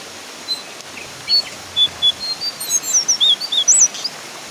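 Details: Calls of a brown Horsfield's babbler, 'ngeplong' style: sparse thin whistles at first, building into a quicker sequence of high notes, several curling sharply up and down near the end, with faint background noise throughout.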